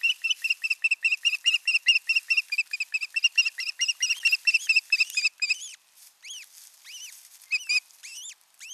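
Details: Osprey pair alone together at the nest for the first time, on a live nest camera in Satakunta, Finland, 6 June 2023: a rapid series of high, piercing chirps, then several arched, rising-and-falling whistled calls.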